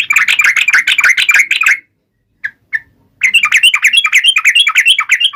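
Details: Dense, chattering song of a yellow-vented bulbul taunting rivals: rapid overlapping bright notes in a continuous burst, a silent gap with two lone chips, then another fast chattering run.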